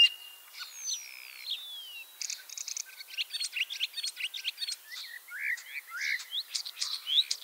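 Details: A ringed common starling (ringed in Lithuania, with a leg injury), back for its third spring and arriving 25 March 2023 in Liepāja, Latvia, sings long drawn whistles and slides, then a rapid jumble of high clicks, rattles and squeaky notes.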